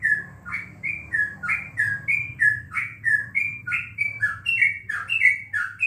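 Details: Sooty-headed bulbul (trucukan) filmed at home during a coronavirus break from bird contests: a lively run of short whistled notes near the same pitch, each rising or falling slightly, delivered almost twice a second with faint low hum behind.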